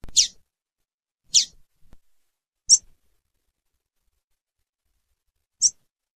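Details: Female lined seedeater calling: four short, sharp, high descending chips spaced unevenly over about six seconds, with quiet gaps between and faint clicks.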